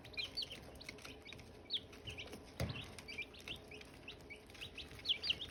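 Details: Silkie chicks peeping around hatching time: many short, high chirps overlapping at an irregular, busy pace, with a few soft knocks and thumps underneath.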